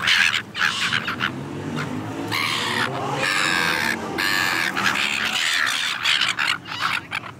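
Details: A flock of silver gulls chasing food, calling together in harsh overlapping squawks and screeches that run almost without pause, over a low background rumble.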